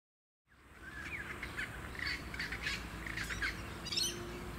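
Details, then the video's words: Australasian swamphen at a small artificial lake on the Sunshine Coast, Queensland, in November 2017, giving harsh, nasal squawks and screechy calls in an irregular series, with wind, birdsong, suburban noise and a steady low rumble. "Australasian Swamphen"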